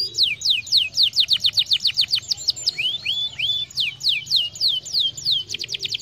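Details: Canary song used to stimulate other birds to sing: rapid series of bright, downward-sweeping whistled notes repeated about four per second, with a few lower rising slurs midway and a faint low hum underneath.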